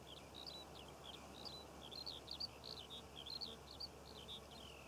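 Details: Eurasian skylark in song above poppy fields in Cornwall during June, pouring out a fast, continuous stream of bright chirps and twittering trills, with steady low background rumble.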